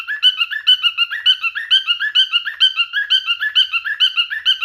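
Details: Male cockatiel singing in mating behaviour toward a female: a fast, steady run of warbling whistled notes, about two per second, with rich harmonics and no other sounds.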